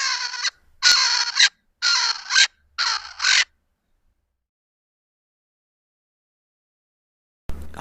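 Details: A Swainson's Spurfowl, a Southern African species, gives a loud, harsh, grating crowing of about five rasping notes over three seconds, followed by silence and a brief noise at the end.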